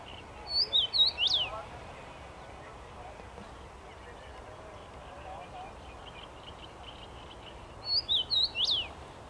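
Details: Common rosefinch in a tree, 23 May 2021, repeating its whistled phrase twice about seven seconds apart, each a quick run of five slurred rising and falling notes; faint chirps of other birds between.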